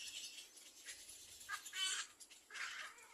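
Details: Little black cormorant chicks waiting for their mother to feed them, giving short harsh begging calls in bursts near the middle and end, over steady hissing background noise.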